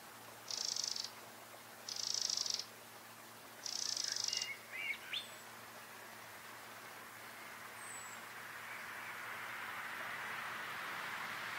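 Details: Eurasian wren song: three dense, high, buzzy trills about half a second each, then two brief lower notes, followed by a steady rushing background.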